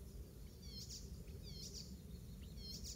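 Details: Icterine warbler in a Pieterburen garden, 17 May 2022, a song that includes oystercatcher mimicry; thin descending whistled notes in short groups, repeated about every second, with sharp high bursts, above constant low rumble.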